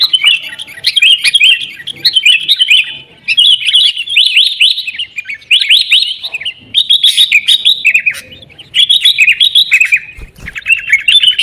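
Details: Noisy, combative sooty-headed bulbul song, used as a lure for caged birds: long runs of rapid, bubbly, rising and falling notes broken by short silences.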